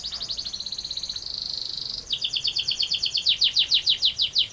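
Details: Canary singing ngerol panjang, a long rolling song. Quick pulsed trills give way to a steady buzzy tone. A run of loud rising-and-falling whistled notes follows, about three per second.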